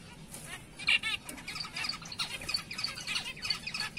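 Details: Zebra finches of black-breasted and light-back colour mutations give short, nasal, high-pitched calls and chirps in quick, irregular succession.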